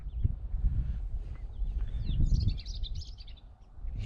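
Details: European Robin singing on a morning outing in the countryside, perched fairly close: thin, high, sweet warbled phrases with quick up-and-down slurs, strongest in the second half, over a steady low rumble of wind and handling noise.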